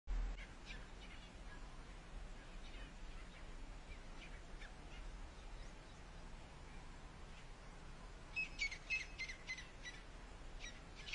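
Grey partridge giving a quick burst of harsh, grating, rasping notes near the end, after faint scattered chirps, over a steady low rumble of wind or distant noise.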